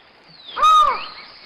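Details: Collared forest falcon at Serra do Japi, Brazil, gives one loud, hollow, mid-pitched 'aow' note, slightly arched and under half a second long, over a faint high insect hiss.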